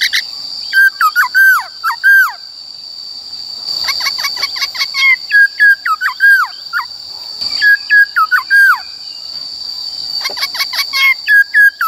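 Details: White-cheeked laughingthrush singing in forest-style voice, a recording used to train the voices of young and newly caught birds. It gives loud clear whistled notes in bursts, many slurring downward, repeated in quick runs with short pauses. A steady high tone continues throughout.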